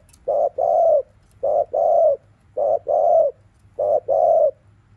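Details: Spotted dove's 'thúc liu riu' afternoon coo, used to stimulate caged birds: four paired phrases, each a brief note followed by a longer coo, spaced about 1.3 seconds apart.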